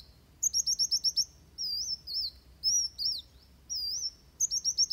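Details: Fighting song of a Van Hasselt's sunbird, used to train other birds: a fast run of identical sharp chips, then wavy, sliding high whistles about every half second, ending in another rapid chip series.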